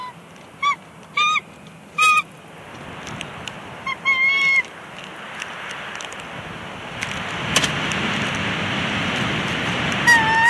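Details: Mated pair of bald eagles at their Big Bear Lake nest on 24 April 2021, briefly squabbling while placing a bushy stick: a few sharp, high, chittering squeals in short bursts over steady wind noise.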